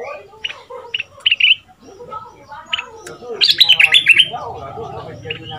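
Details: Red-whiskered bulbul decoy from southern Thailand, two months caged, in a fierce 'sai boen' style used to teach young birds. Spaced single chirps lead into a fast, loud run of repeated whistled notes over a low hum.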